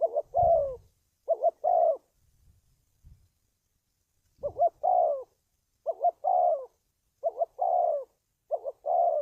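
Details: Spotted dove cooing for decoy training and trapping: two phrases, then a gap with a few low knocks, then four more doubled-note-and-falling-coo phrases at an even pace.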